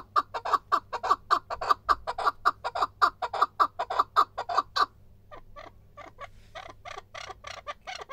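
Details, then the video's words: Loud, regular chucking from a male chukar partridge for about five seconds, followed by a softer, looser run of the same rasping notes. "erkek keklik"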